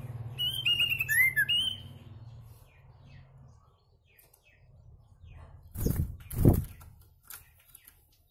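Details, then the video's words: A captive-bred sooty-headed bulbul gives a quick phrase of bright, fluty, warbled notes, then falls quiet; two loud muffled thumps like wing flaps follow over a low hum. "KUTILANG RASA MURAI - Sooty Headed Bulbul Sound"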